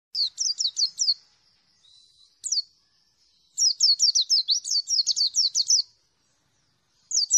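A white-eye sings rapid runs of high, thin, slurred chirps, each run lasting about a second, with brief pauses between bursts.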